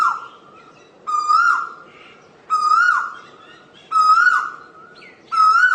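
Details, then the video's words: Repeated ringing whistles from an Asian koel, four main notes each rising slightly before trailing off, spaced about 1.4 seconds apart, with soft higher notes in the gaps. "เสียงนกกาเหว่าหรือนกดุเหว่า Asian koel sound"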